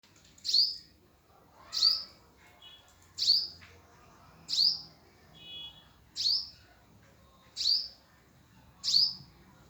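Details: Hummingbird at its nest giving sharp, high, slightly falling chips, about one every one and a half seconds, eight in all, over a quiet background.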